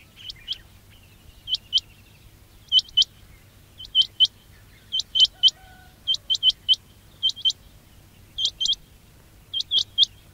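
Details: Trapping lure of quail calls: clean, high upslurred chirps, mostly in pairs or triplets, spaced about a second apart over a quiet background.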